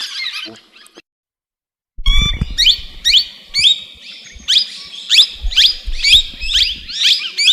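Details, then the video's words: Tamed talking plum-headed parakeet giving sharp, squeaky, rising calls repeated about twice a second after a brief pause, with low thumps and handling knocks underneath. "Talking Plum Headed Parrot"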